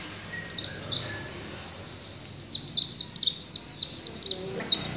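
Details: Mountain white-eye singing in the ngalas style: two high, sharply descending whistled notes, a short pause, then a rapid run of similar downward-sweeping notes repeated about four per second.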